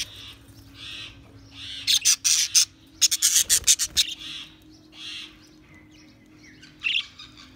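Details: Several budgies chirping, with soft warbled phrases broken by a run of loud, harsh, rapid chirps in the middle, then quieter chatter again.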